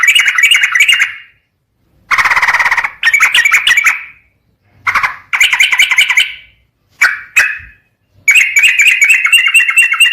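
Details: Sooty-headed bulbul recording played as a lure to provoke singing: repeated bursts of loud, scratchy, rattling chatter separated by short silences.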